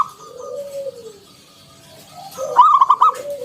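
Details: Ngalun-style zebra dove song with a round 'kung' note from a local wild-origin bird, used as a lure for other doves. Quiet, drawn-out coos, then one loud bubbling rolled phrase near the end.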